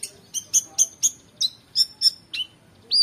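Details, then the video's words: Oriental magpie-robin in energetic full song, recorded for training competition songbirds: a quick run of bright, high, clipped whistled notes about a quarter second apart, then a sweeping downslurred whistle to close. "KONIN GACOR EMOSI FULL BONGKAR ISIAN MEWAH‼️Cocok Untuk Masteran Burung Lomba"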